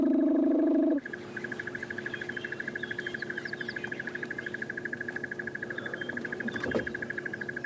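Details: Crested barbet (Trachyphonus vaillantii) calling nearby at sunrise in Sabi Sand, South Africa, February; a long, even trill of rapid steady pulses at mid-high pitch, with starlings, rattling cisticolas and other birds as the bush comes alive.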